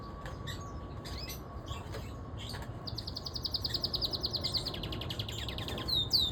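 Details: Siskin canary singing outdoors: a run of quick high trills and rapid chirps, with a long buzzy trill in the middle, over a low rumble of background noise.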